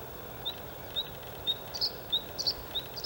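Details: A male white-spotted bluethroat (Luscinia svecica cyanecula) sings from an outer reedbed at Halmstad harbour landfill, Sweden, May 2017, with repeated song flights: thin, high, sharp notes about twice a second, brighter paired notes between, over low rumble.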